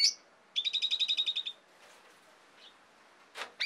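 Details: Asian pied starling, a recording for training songbirds: a sharp squeak, then an even rattling series of about ten quick pulsed notes, a pause, and a couple of harsh raspy notes.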